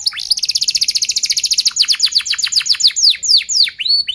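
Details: Canary producing a tight rolled trill for tutoring young birds: a very rapid, even rattle of high notes, slowing into separate sharply descending chirps and a few upslurred whistles at the end.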